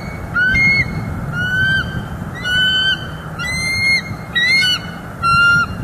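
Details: Nest camera footage of a wild bald eagle pair in Northeast Florida in December, one on the nest, the other watching from branches. There is a run of six high, piercing, slightly arched notes at irregular intervals of about a second, over a low rumble.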